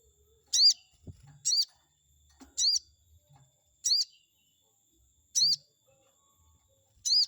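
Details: Chestnut-backed scimitar babbler used to trigger a rival's response: six short, shrill, downward-arched notes about one to one and a half seconds apart, with faint low knocks between them.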